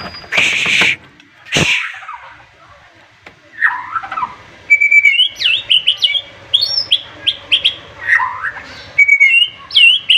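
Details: White-rumped shama with a sharp, emotional song that provokes its opponent: two harsh noisy bursts open, then a pause before a string of bright whistled upslurs and warbles, some notes flicking high and fast.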